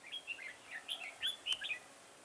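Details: Close, clear song of a decoy red-whiskered bulbul set for trapping in a garden on 9 October 2017: lively rippling whistled notes rising and falling in a rapid chatter, one sharp click midway.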